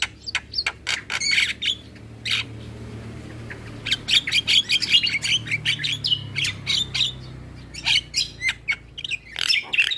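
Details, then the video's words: Asian pied starling song, played in the morning for young birds to copy: loud clipped squawks and buzzy chatter, a quiet gap near two seconds, then rapid harsh notes with thin whistles, steady low hum behind. "Masteran Burung Jalak Belajar Bunyi Putarkan Suara Jalak Kebo Setiap pagi"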